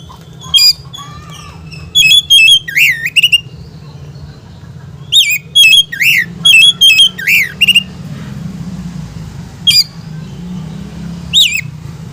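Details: Song of a white-rumped shama meant to provoke rival shamas: repeated clusters of sharp whistles and looping, slurred warbles, delivered in bursts around two and six seconds, then single phrases later, with a constant low hum behind.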